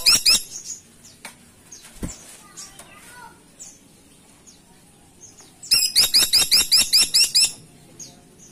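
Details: Caladi tikotok woodpecker in lively voice: a rapid rattling run of about a dozen sharp high notes, evenly spaced, preceded by scattered faint chirps and clicks.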